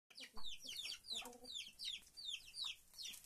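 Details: Chickens in a henhouse: shrill downward-sliding peeps repeat rapidly and irregularly, with a short, lower, harmonic hen call near the middle and faint low murmuring throughout.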